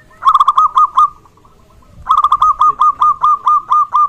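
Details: Local zebra dove in full voice, a recording meant to coax other zebra doves into calling: a quick stuttering burst of mellow cooing notes, a pause, then a long string of evenly spaced rolling coos.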